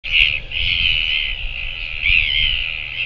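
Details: Northern royal albatross chick Manaaki at its nest on Pukekura/Taiaroa Head, Otago Peninsula, New Zealand, at sunrise gives a high, drawn-out whining note that wavers and swells twice over three seconds, over low wind rumble.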